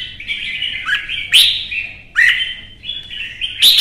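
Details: Red-whiskered bulbul singing during a contest, with whistled warbles broken by three loud, sharp upswept notes spaced about a second apart.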